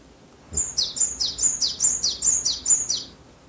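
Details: Japanese tit recorded in Japan, singing a sharp song of two-syllable notes repeated continuously: nine high whistled phrases, each dropping to a lower note, spaced evenly about every quarter second in a quiet setting.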